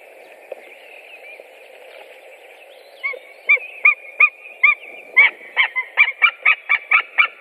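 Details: White-tailed eagles, three birds, 7 April 2017: three seconds of quiet, then spaced yelping notes that build into a rapid, accelerating run of loud barking calls.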